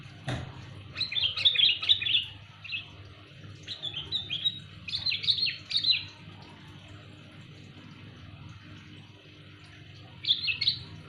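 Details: Sooty-headed bulbul calling loudly, a call meant for luring: bursts of chattering, bubbly notes near one and five seconds, a pause, then another short phrase near ten seconds; a sharp click at the start and faint hum.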